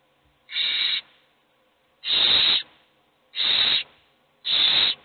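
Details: Owl chicks in a nest box, all hungry, give four steady hissing rasps roughly every one and a quarter seconds, each harsh and breathy.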